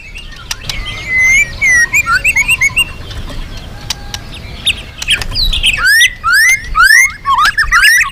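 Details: Loud, lively magpie-robin song used to lure other birds: repeated rich, rising and falling whistled phrases with quick chips, a softer patch in the middle, then strong arched whistles repeated rapidly to the end.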